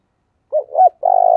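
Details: Spotted dove decoy calling to attract wild birds. Two short low notes, then a sustained coo, cut off abruptly by a click.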